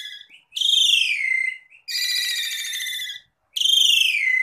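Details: Asian pied starling masteran in gacor 'dor dor' style: three long, harsh, buzzy notes, each falling slightly in pitch, separated by short silences.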